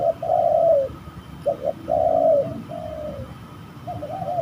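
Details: Spotted dove voice while fighting during a trapping hunt: a long mellow coo, then a brief double note, another drawn-out coo and a falling phrase, all low and breathy.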